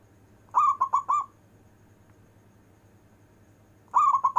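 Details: Local perkutut, or zebra dove, delivering 'manggung' long-breath cooing: a trilling three-note coo phrase, then quiet, then the next phrase beginning near the end, over a low continuous hum.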